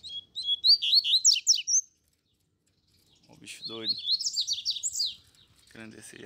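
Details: Double-collared seedeaters, two caged birds in hand and a free wild one: a rapid high, chirping phrase repeated twice, the second overlapping a man's excited talking.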